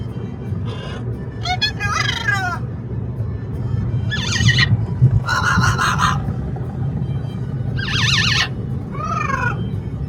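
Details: Pet Amazon parrot, talkative on a road trip by car, gives about six loud, raspy, wavering squawks and chatter bursts at irregular intervals over a steady low road rumble.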